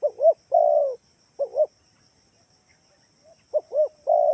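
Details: Spotted dove lure call for prompting other doves to answer: a pair of short bowed coos and a long coo, then after a pause the pattern repeats, low and mellow over a thin constant hum.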